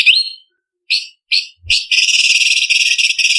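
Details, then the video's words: Cucak cungkok, or blue-winged leafbird, performing sharp filler notes for a contest training recording: three or four rising whistled slurs, then a long sustained rapid buzzy trill. "Masteran Cucak Cungkok Istimewa ~Isian Kasaran Pedas Variasi ~ Tembakan Masteran Burung Lomba"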